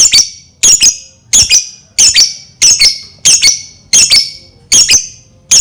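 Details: Lovebird sounding off to provoke other lovebirds into song, giving a brisk run of eight shrill, doubled squeaky chirps roughly every two-thirds of a second, sharp and piercing, over a faint low hum.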